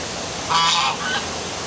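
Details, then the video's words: Geese calling in darkness beside the downtown waterfall at City Hall, Milford, Connecticut: one loud nasal honk followed by a shorter fainter one, over the constant hiss of rushing water. "Dark Night Geese Calling by Waterfall"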